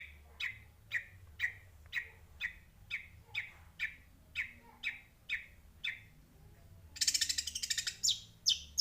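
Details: Sparrow (burung gereja) chirping: a steady series of short, sharp chirps about twice a second, then a dense burst of rapid high twittering near the end; faint low hum beneath.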